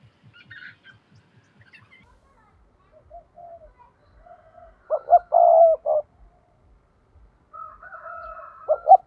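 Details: Decoy spotted dove used for trapping, giving its 'thúc' lure call: quiet soft notes at first, then one loud phrase of two short notes and a long husky coo, and a further rising phrase at the end.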